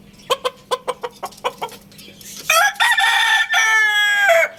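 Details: Lohmann Brown rooster clucks in a series of short evenly spaced notes, then breaks into a loud, rich, drawn-out crow of about two seconds with a brief pause midway, over a low steady hum.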